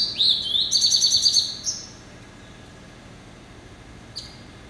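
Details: Caged male hybrid finch, a cross of yellow-eyed canary and Timbrado hatched in November 2012, singing a short burst of high sweeping whistles and a fast rattling trill, then quiet with one brief chirp near the end.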